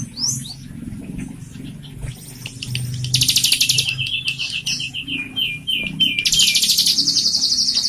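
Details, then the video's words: Singing captive bar-winged prinia, recorded as a prompt for untrained or silent birds: scattered high chirps and a falling twitter give way to dense, fast trills of sharp repeated high notes, broken by short pauses. "Pancingan / masteran cigun gacor buat cigun bakalan atau macet bunyi"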